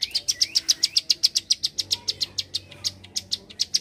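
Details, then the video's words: Quick, crisp, high-pitched clicks from a bar-winged prinia in rapid 'klik' style, opening with a couple of thin rising slurs, then spacing out slightly toward the end. "Prenjak Klik gacor nembak rapat"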